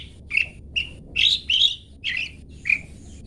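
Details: Long-tailed shrike singing 'toet toet' material meant to tutor caged songbirds: six harsh, slightly buzzy high notes, some drawn out and some clipped, separated by brief pauses, with faint low hum beneath.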